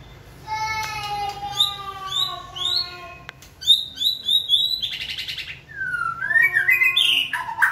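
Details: White-rumped shama kept in a cage and stimulated to sing during training, giving a rich, varied song of clear repeated whistles, quick trills and a buzzy burst, ending in loud sliding notes.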